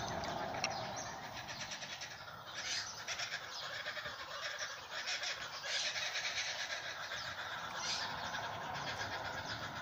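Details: Several Tasmanian kookaburras in a Blackwood tree near a road give harsh, rapid, rattling cackles in bursts every few seconds, apparently upset at a goshawk in the tree with them, over steady background noise.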